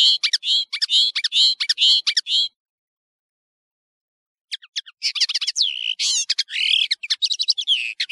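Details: European serin, or nino, singing for a tutoring recording: a regular series of rapid, high, tinkling note groups for two and a half seconds, silence, then a fuller, rasping, twittering phrase.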